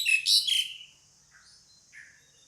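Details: Female pied myna calling to a male: a loud, grating two-part burst of rasping notes ending in a short whistle, followed by faint soft chirps.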